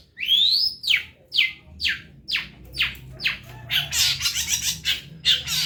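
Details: Long-tailed shrike singing vigorously on a bird-training recording: a long, rising whistle, then a series of slurred, falling notes about every half second, ending in loud, harsh, buzzy bursts.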